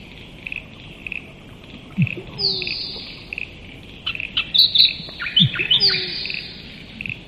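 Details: Musk duck giving a single low plonk and a thin, falling high whistle, followed by several short, sharp chirps from other birds, with insects pulsing steadily behind.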